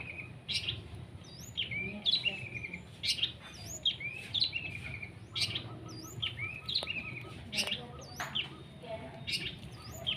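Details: Long-tailed shrike in the sun, sprayed from a water bottle, pours out a continuous medley of high chirps, looping whistles and rasping notes, with faint voices in the background.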